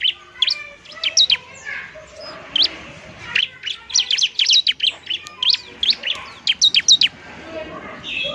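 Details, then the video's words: Bar-winged prinia fighting, a lure to set lazy birds singing: busy, high, twittering chirps building to dense runs, with softer background twitters. "ciblek semi gacor, ciblek TARUNG mantap buat pikat dan PANCINGAN ciblek semi malas bunyi"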